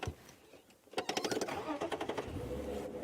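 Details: Rapid mechanical clicking and rattling indoors in a small room, with a muffled voice and no animal calls.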